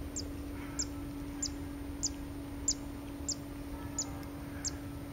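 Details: Zitting cisticola at Pian di Spagna-Lago di Mezzola nature reserve, 28 August 2016: sharp, very high 'zit' notes repeated steadily about every 0.6 seconds, eight in a row, over a low steady hum.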